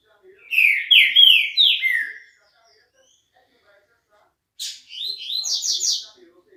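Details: Green-winged saltator singing two bursts: four strong whistled notes sliding downward, silence for about two seconds, then a sharp note and a quick rising run of high, rapid whistles.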